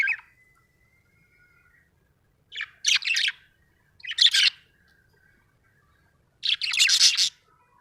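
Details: Contented budgerigar chirping in a quiet room: three separate bursts of bright, scratchy twittering about two seconds apart, preceded by a soft thin whistle.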